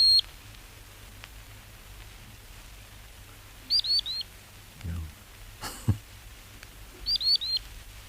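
Common Sandpiper giving thin, high, piping calls in quick runs of three notes, repeated three times over several seconds, with a few soft low thumps in between.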